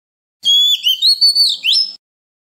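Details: Song of an Oriental magpie-robin in 'forest voice' style, used to train young birds: a held, pure whistle followed by a few sliding notes and a sharp rising sweep, all in about one and a half seconds.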